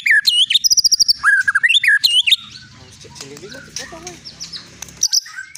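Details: Long-tailed Medan white-rumped shama, a caged contest bird, bursts into loud fluid whistles and rapid ticks for two seconds, then fades to a quiet murmur of soft notes and background hiss before one final phrase.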